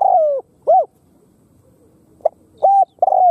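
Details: Khmer spotted dove cooing: a drawn-out falling hoot, a short arched note, then after a pause a brief tap and two steady low coos in quick succession against a quiet background.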